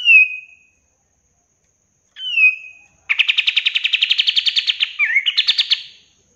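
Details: Cream-vented bulbul song used as a master recording to train caged birds: two clear down-slurred whistles, then a fast buzzy rattle of about twenty evenly spaced notes lasting three seconds and ending in a rising flourish.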